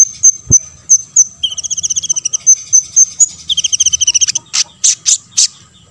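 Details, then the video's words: Olive-backed sunbird song used as a lure to provoke other sunbirds to sing: high, thin notes repeated at a steady pace, then rapid chattering trills in two layered bands, ending in a few loud sharp chips. "KONIN GACOR BONGKAR MATERI"YG LAIN AUTO BONGKAR"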